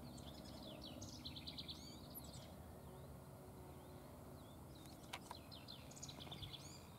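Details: A young House Wren, assumed juvenile from its behaviour, begs for food at Ridgefield Wildlife Refuge, Washington, with quick, high, scratchy chirps in short bursts over a steady low rumble of background noise.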